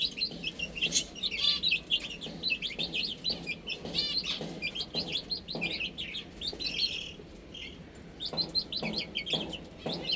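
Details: Many young chickens feeding and drinking give a dense chorus of high, short downslurred peeps. Soft taps from pecking recur through the clip, with a few louder bursts near the start.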